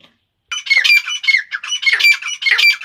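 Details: Female grey francolin of Iranian type delivering loud, harsh, grating phrases in a continuous rapid series after a brief silence, each phrase rising and falling with a ringing edge.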